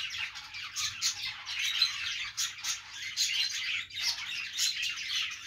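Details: Many budgies warbling and chirping together, a steady high chatter of raspy notes and sharp squeaks rising and falling in loudness, with a brief dip near the four-second mark.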